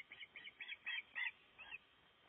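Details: A breeding osprey at the nest in Gribskov, from a livestream during nest building: six high, slightly squeaky whistled notes in quick succession, the middle ones loudest, before the series stops.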